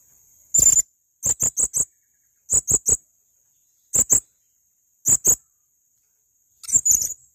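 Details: Male blue-crowned hanging parrot giving sharp, very high, shrill squeaky notes in short clusters of two to four, each cluster separated by roughly a second of silence.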